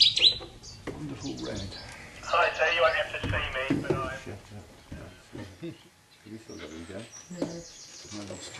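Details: A showy Cetti's warbler at RSPB Minsmere, filmed from the bittern hide on 3 June 2011, gives its sudden, loud, explosive burst of song, with people talking quietly over much of the recording.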